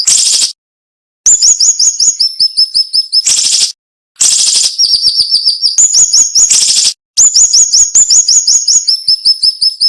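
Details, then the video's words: Sharp, closely spaced masteran song from a cinnamon-bellied flowerpecker: harsh buzzy outbursts between brief silences, each followed by quick series of thin, high, downslurred ticks. "MASTERAN SUARA BURUNG SIRI SIRI NEMBAK TAJAM"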